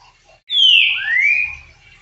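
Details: Green-winged saltator, called trinca-ferro verdadeiro, giving one loud clear whistled slur that drops from high to lower pitch, then glides upward and fades, lasting about a second in a quiet setting.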